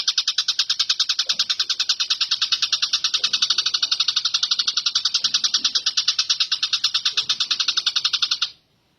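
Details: Long-tailed shrike singing an imitation of a brown shrike: a rapid, unbroken run of harsh, high chattering notes, about two or three per second, lasting over eight seconds, then stopping abruptly.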